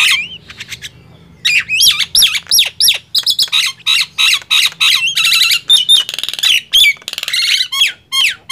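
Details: Loud singing bout between a Nias hill myna and a javan myna. Brief quiet opening, then dense rasping squawks and looping whistles in quick succession, some notes buzzy and broad.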